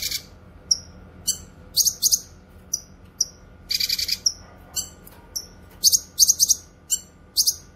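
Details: Cucak kinoy (grey-cheeked bulbul) singing, meant for training cage songbirds and luring wild ones: scattered high, downward-sliding chips and several rasping, buzzy bursts, most close together near the end.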